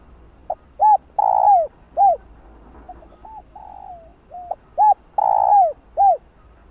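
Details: Spotted dove giving its calling coo to stir up other doves: brief hoots, a long falling coo, a softer flat note, then the phrase repeats, with nothing else clearly heard.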